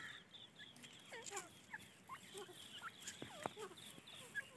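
Grey francolin chicks give many thin, overlapping peeps and short rising and falling chirps, several birds calling at once over a soft background hiss.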